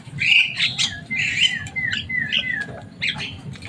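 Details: A pet Javan myna, said to be loud, noisy and able to mimic speech, delivers squeaky chatter followed by several clear slurred whistles that drop in pitch, spaced about half a second apart, over a low background hum.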